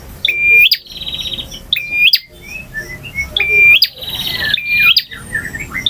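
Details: A male bar-winged prinia sings in ngotot, ngalun, variasi and kristal styles. Each phrase is a clear level whistle snapping upward, followed by a loud buzzy rattle. Phrases come in pairs, in a quiet setting.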